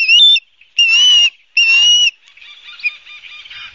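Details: Osprey at a nest at Barnegat Light, New Jersey, filmed by nest camera on 12 September 2022: three loud, clear whistled calls about half a second each, followed by softer, lower chattering notes.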